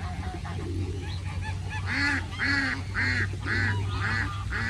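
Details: Ducks living alongside pigeons in Puebla, Puebla, during the 2020 pandemic: a run of loud, harsh, nasal quacks, roughly two per second, arching in pitch, over a steady low hum and softer calls early on.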